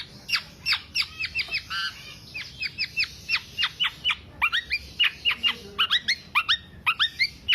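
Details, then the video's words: Black-naped oriole delivering a lure song for songbird keepers, 'kicau sampe teler' style: a fast, steady string of crisp downward-flicked chirps, roughly three per second, with brief pauses. "Kepodang Podang kicau sampe telerrr"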